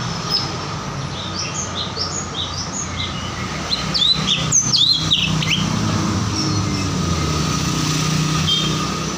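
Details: Ruby-throated bulbul singing: a quick series of short, high, chirped notes, then a burst of louder sharp whistles midway, followed by quieter scattered chirps, over a constant low rumble of engine or traffic noise.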